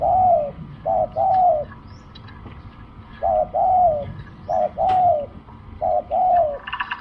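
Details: Spotted dove calling at a decoy-luring spot: four phrases, each a brief hoot followed by a longer mellow coo bending downward, spaced about every one and a half seconds, with light chirping of other birds.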